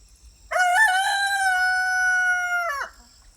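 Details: Free-range pastured rooster on an off-grid homestead crowing once: a loud, sustained cock-a-doodle-doo lasting a little over two seconds, starting with a short stuttered rise, holding a steady tone, then dropping off sharply at the end; quiet background otherwise.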